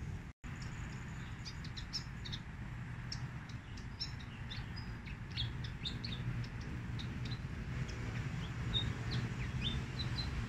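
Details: Fantail song recorded on a Huawei Nova 3 phone and used as a lure for trapping birds: scattered high, thin chirps and short whistled notes in irregular bursts, about two per second, over a steady low rumble.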